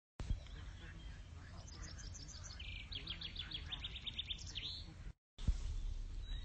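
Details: Blyth's reed warbler calling: rapid series of short, high, sharp notes delivered in bursts over a few seconds, with steady low rumbling background noise and a brief gap of silence near the end.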